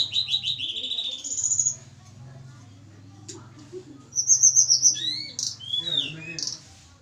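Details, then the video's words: Hill blue flycatcher from Java, a captive bird being paired with a mate, gives a softer song: a buzzy whistled phrase, then a quiet pause with faint background hum, then rapid high trilled notes and slurred whistles. "penjodohan tledekan gunung jawa. tempel satu mingu lagsung jodoh. si kecil cabe rawit bersuara merdu"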